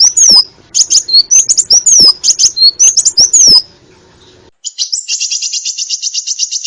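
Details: Kolibri ninja sunbird singing for a bird-training recording, with high, looping whistled notes over clicks and a low background hum, ending in a rapid, even, high trill.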